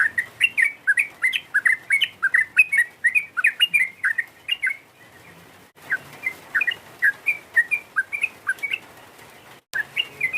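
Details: Calls of a sooty-headed bulbul used to rile a rival: a steady string of short, liquid, up-and-down chirps, several a second, pausing briefly before resuming.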